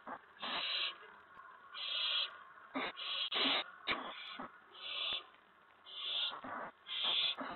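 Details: Owls at a nest on April 19, 2017, around 8 PM, as both adults bring food to the owlets. Rasping hiss-screeches repeat at a steady pace, about eight in all, along with occasional thumps and scrapes.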